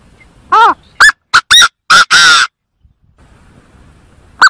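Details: Chinese francolin calling, used as a lure: a series of loud harsh notes with strong harmonics, some arched and some flat, ending in a longer rasping note, then a pause and one more short note.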